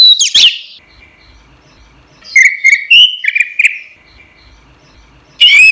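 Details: Orange-headed thrush singing actively, recorded for training caged songbirds; a sharp opening note, a pause, then loud fluty whistles that climb and warble, ending with another bright burst.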